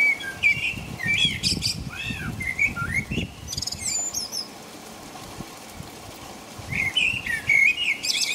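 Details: A blackbird sings at night around 5 a.m. in rain in England: varied, mellow warbled phrases with twittering ends in two bursts separated by a pause, over a steady low patter of rain.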